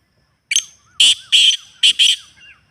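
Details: Kept-partridge stimulation call: a short sharp note, then four rough, ringing syllables grouped in pairs, with a thin wavering whistle trailing between and after the notes.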